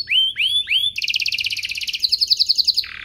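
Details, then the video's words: Domestic canary, a master song for young birds: three rising whistled slurs, then a fast pulsing trill and a quicker bright trill ending in a lower buzz. "Suaranya MUDAH DITIRU, Efektif untuk Masteran Kenari Paud dan Pancingan kenari biar gacor"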